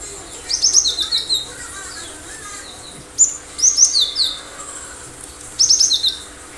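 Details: Cinereous tit in full, sharp song: three separate phrases of fast high whistled notes, each starting with a sharp note then a string of downslurred whistles, repeated roughly every two and a half seconds.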